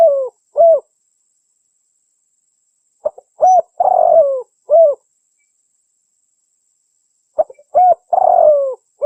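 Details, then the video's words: Female spotted dove cooing to call a male, used as a bird-trapping lure: short sliding coos in irregular clusters of three or four notes, separated by quiet gaps of a few seconds. "suara burung tekukur betina memanggil jantan"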